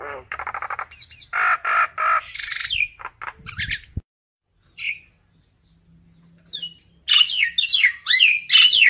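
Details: Common myna calling the flock: harsh, broadband rasping notes repeated in the first three seconds, a brief quiet gap, then loud whistled and down-slurred squawky notes in quick succession.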